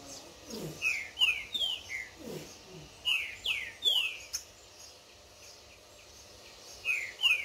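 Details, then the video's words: Tournament green-winged saltator dueling a wild bird in the woods while warming up; repeated bursts of rich downslurred whistles, three or four per phrase, several phrases close together, then a short pause and another phrase. "Trinca Ferro de torneio levando flexada do solto no esquenta no mato!"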